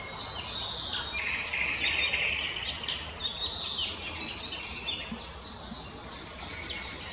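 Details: On 12 May 2020 in the Krasnoglinsky area an Icterine warbler sings a dense, varied flow of high chirps and harsh chattering notes, broken by a few clear rising whistles.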